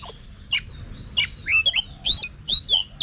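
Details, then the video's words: Oriental magpie-robin in training for competition singing: a handful of clear, rising and falling whistles and short clicks spaced about half a second apart, with a faint low hum. "Luyện Giọng Cho Chòe Than Hót Đấu"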